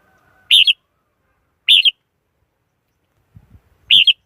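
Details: Red-whiskered bulbul calling in three short, loud phrases, each a quick warbled two-part burst, spaced about one to two seconds apart, with faint low knocks before the last.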